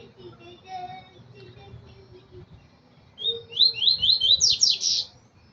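After a quiet start with faint background chirps, a double-collared seedeater bursts into a quick run of high, bright, slurred whistles that speed up over two seconds.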